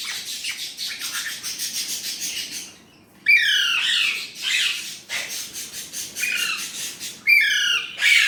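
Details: An Indian ringneck parrot, talking in Urdu/Hindi, makes a rapid pulsing chatter, then sharper squeaky rising notes and longer gravelly phrases after a short pause.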